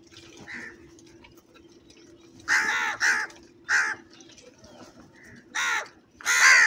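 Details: Large numbers of crows calling very loudly: a burst of harsh, raspy caws, one early faint call, then a close pair, a single caw and two more loud caws near the end, with a steady low background hum.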